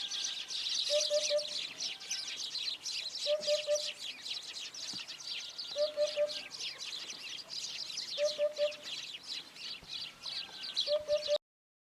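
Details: A Eurasian hoopoe (Upupa epops) gives soft, low, hollow triple hoots, 'oop-oop-oop', repeated about every two and a half seconds over a steady high insect-like hiss.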